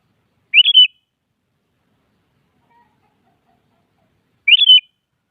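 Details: Sooty-headed bulbul morning song, a challenge to a rival bird; two clear phrases about four seconds apart, each a few quick whistled, slightly buzzy notes rising then dropping, with silence between.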